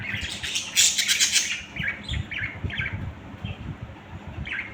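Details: Pet budgerigars, a group of birds, give a loud, rough squawking outburst, then a string of short scratchy chirps spaced irregularly, against a low background hum.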